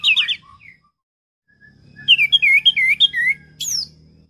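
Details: Orange-headed thrush song with a quick series of bright, looping whistled notes, several falling slurs in rapid succession, ending in a sharp high phrase, over a faint low hum.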